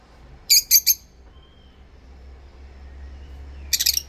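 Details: Two pet rosy-faced lovebirds singing and chirping: a quick pair of shrill, harsh chirps, a quiet pause, then a fast burst of sharp high chirps near the end.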